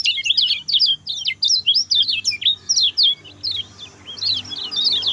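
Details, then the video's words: Short, fast training song of a lemon-bellied white-eye: dense high chattering twitters and quick up-and-down whistled notes, delivered almost continuously, with a faint low hum underneath. "SUARA KECIAL KUNING SPEED PENDEK, TERBAIK UNTUK MASTERAN"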